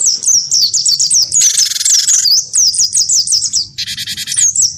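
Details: Fighting-style song of a wingko-type cinereous tit provoked by a white-eye: rapid high twisting whistles, interrupted twice by coarse buzzing rattles.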